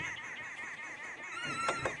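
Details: Arrow-marked Babblers in a fallen knobthorn in the African bush at sunrise on August 18 chatter in a harsh, rapid, rolling babbling chorus of overlapping nasal notes, with a brief thin whistle near the end.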